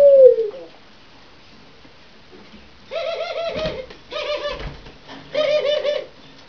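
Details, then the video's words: A grey ringneck (Barbary) dove of a courting pair gives three rolling, low, hollow courtship coos about a second apart, each a soft rising-and-falling purr, after a brief higher note, in a quiet room. "Udvarlás - Kacagó gerle pár"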